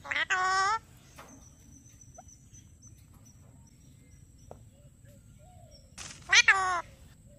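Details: Alexandrine parakeet speaking "Mithu" twice, about six seconds apart: each a short, buzzy, harmonic-rich utterance in two quick parts, with near silence and faint clicks between them.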